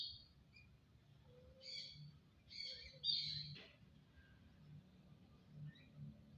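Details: Starling singing a mix of high whistles, a short low whistle and bright squeaky buzzes, with a sharp loud note near the middle, over a low steady hum.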